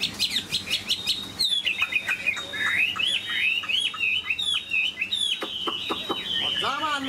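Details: Chinese hwamei kept as a cage bird, long-bodied and sweet-voiced, opening with quick clicks, then a long sustained whistle and a rolling chain of melodic slurred notes, finishing with descending sweeps.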